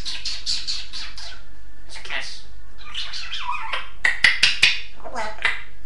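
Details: A pet Grey parrot talks amid human voices, chattering in quick, speech-like phrases with high whistled and rising notes, ending with several sharp clicks and squawks.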